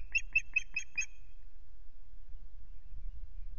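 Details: Osprey on a camera-watched nest at RSPB Loch Garten, 26 May. Five clear, sharp piping notes come evenly spaced in about one second, then quiet with only a low rumble.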